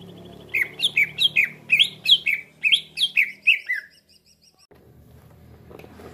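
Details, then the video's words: Trapping lure sound of a green leafbird that other leafbirds respond to quickly: a run of about ten sharp, descending whistled chirps in quick succession, then near silence with low rumble. "PIKAT CUCAK IJO LAIN CEPAT RESPON"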